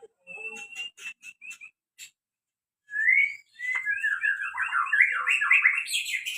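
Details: Singing white-rumped shama: a few sharp repeated chipping notes, a pause, then an upslurred whistle leading into a fast, loud cascade of varied whistled and warbling phrases.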